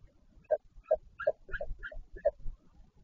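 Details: Northern royal albatross at its colony on Taiaroa Head near Dunedin, New Zealand, during a parent changeover at the nest on 14 February 2019: about seven short, nasal, harmonic bursts in quick series, roughly three per second, with soft rustling between.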